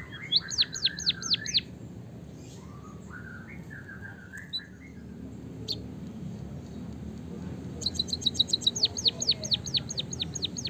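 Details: White-headed munia singing in a rolling style with canary-like phrases, used for training and stimulating munias to sing: two bursts of rapid, high, downward-sweeping notes repeated in quick succession, separated by softer, lower chirps over a steady low hum.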